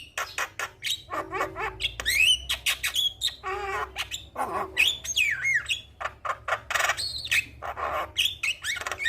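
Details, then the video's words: Javan myna singing persistently in the gacor style, offered as a lure sound for stressed mynas: a dense, fast jumble of harsh squawks, clicks, rising and falling whistles and chattering notes with almost no pauses, over a faint low hum. "Suara Jalak Kebo Gacor"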